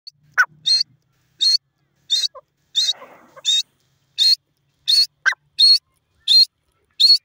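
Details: Grey francolin, known locally as teetar, giving loud, shrill, high notes repeated more than once a second in a steady series. A few lower, softer notes and a brief patch of faint rustling noise appear midway.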